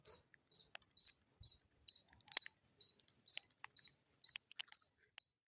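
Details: Great tit singing. High, thin two-note phrases are repeated about twice a second in a steady, see-sawing rhythm. Scattered sharp clicks and faint low rumbles sound in the background.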